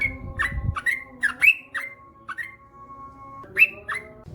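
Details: Yellow-vented bulbul, locally trucukan, a male singing ropel: spaced, liquid whistled notes, each sliding downward, delivered in an irregular series with short pauses.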